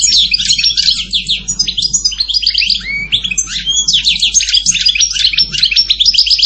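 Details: European goldfinch singing: a dense, rapid tumble of twittering, tinkling notes and liquid trills, high and continuous with brief rising slurs, filling the whole stretch without pause.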